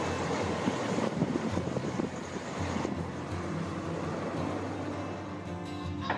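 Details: Strong wind buffeting and low rumble throughout, with no animal call standing out.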